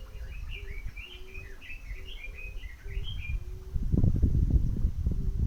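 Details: Wild bird singing beside a lake among mountains in summer: a quick run of short chirped notes that rise and fall in pitch, with a low steady tone underneath and a burst of rumbling noise near the end.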